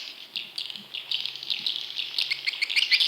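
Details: Chorus of swiftlet chicks, recorded as a lure for wild swiftlets: rapid, irregular high chirps and rasping buzzes about three per second, growing louder toward the end.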